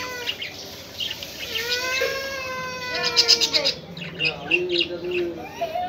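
Budgerigars give drawn-out, wavering nasal calls that slide up and down, with a brief burst of chirpy chatter midway and a low room hum beneath.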